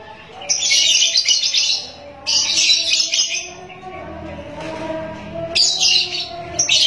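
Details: Young ngekek lovebird being tried out on a terrace. Bursts of dense, high chattering last one to two seconds and are separated by pauses, over a low background hum.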